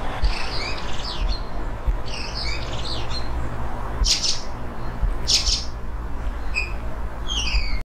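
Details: Eurasian blackbird in a yard in Portugal at the end of the day, singing a rare low-volume imitating song about 5 meters away; soft scratchy chirps and thin whistles over steady low hum.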